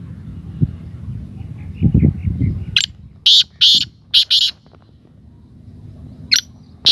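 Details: Black francolin giving a harsh, rasping call phrase of several quick, buzzy high bursts after low murmuring sounds at the start, followed by two more short grating notes near the end.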